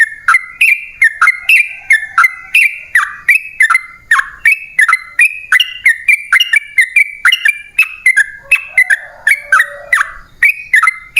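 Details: Continuous bubbling song of a sooty-headed bulbul played to lure wild birds into singing back: short whistled phrases with upward and downward slurs, repeated steadily for over ten seconds, with a faint lower whistle near the end.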